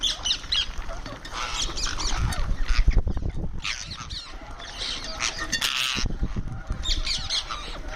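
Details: Indian ringneck parrot making sounds while eating: harsh, raspy squawks in short bursts, separated by pauses, over low thumping and rustling handling noise throughout.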